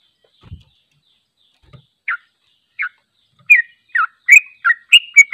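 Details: Sooty-headed bulbul (trucuk) in long, unedited 'ropel panjang' song, used to train other bulbuls: a few isolated chirps build into a quickening run of bright, slurred notes; low thumps occur near the start.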